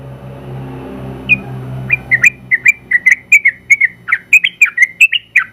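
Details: Sooty-headed bulbul, a general-class champion, starting after a low humming background with one lone note, then breaking into a rapid 'ropel' string of about twenty bubbly twisting chirps over the final three and a half seconds.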